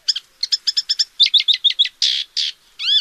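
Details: Paddyfield warbler in fast, continuous song of clipped, rattling high notes in quick series, then broader harsh buzzy notes and a final rising arched note.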